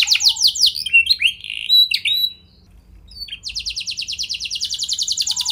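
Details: Canary lure song for drawing responses from other canaries: fast descending chirps and varied twittering notes, a short silence, then a steady rapid trill of evenly spaced clipped notes running to the end.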